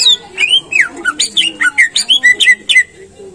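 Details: Greater green leafbird singing, used to prompt caged birds to sing actively: a fast, lively series of clear whistled notes, some swooping down and others rising, about four per second, ending in steady, repeated high whistles.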